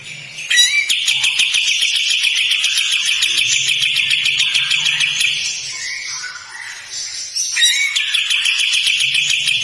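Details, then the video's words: Kapas tembak bird in full, prolonged song with harsh rattling notes: a dense buzzy trill of rapid pulses held for several seconds, a pause with softer varied notes, then the rasping trill resumes. "Burung kapas tembak gacor panjang besetan kasar"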